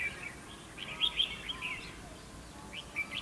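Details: Red-whiskered bulbul singing as a decoy in a fighting trap; short sweet warbled phrases in clusters, then a pause and further chirpy notes, with faint background noise.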